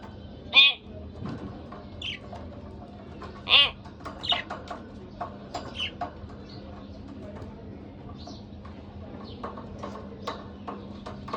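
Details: Pair of pet budgerigars with two loud raspy harmonic calls early on, then scattered soft chirps and clicks over a steady background hum.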